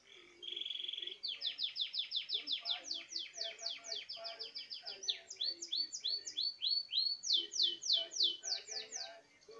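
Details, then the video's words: Belgian canary singing in the countryside: a long steady run of fast repeated downslurred notes, sliding up and down in pitch in separate tours, opening with a short flat buzzy trill. "CANÁRIO BELGA CANTANDO"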